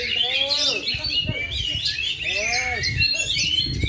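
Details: Oriental magpie-robin that failed to molt for two and a half years, singing quick high whistled slurs and rapid twittering notes. Lower sliding tones and soft thumps are heard underneath.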